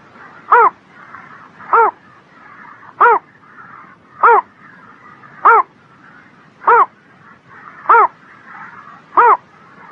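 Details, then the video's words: On a spring morning a bird gives eight evenly spaced, clear, arched notes, each rising then falling, one roughly every 1.2 seconds, over a soft chatter of distant birds. "Singing Bird in the Spring Morning"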